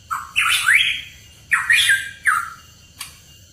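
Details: Loud, harsh Hooded pitohui phrases: a low note then a sharply rising squawk, repeated three times with short gaps, ending in a brief click-like note.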